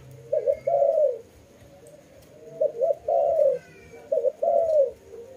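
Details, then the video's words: Dove coos in three evenly spaced phrases, each built of two short low notes and a drawn-out, gently descending coo. "Lovely dove/ lovey sounds"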